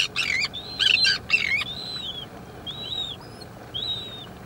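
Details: Slender-billed gulls, an adult with a chick: a burst of loud, harsh, harmonic calls in the first second and a half, followed by thin, high, arched whistles repeated roughly once a second over a quiet, steady background hiss.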